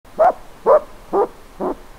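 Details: A wild Japanese scops owl, recorded in spring on 20 March 2022, gives its dog-like "barking" call, which in spring signals a mate nearby: four short, hoarse barks about every half second against a quiet background.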